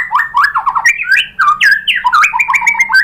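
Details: Fast, fluent white-rumped shama song used to goad a caged shama into answering: tumbling sequences of sliding whistles, quick descending notes and high chips packed closely together.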